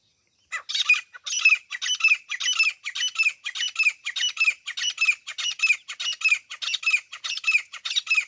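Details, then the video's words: Grey francolin, called teeter locally, in a hunting-call recording: a loud harsh series of rasping, repeated notes, about one and a half per second, continuing steadily for eight seconds with no other sounds. "desi teeter birds ♡grey partridge♡ grayfrancolin hunting sounds"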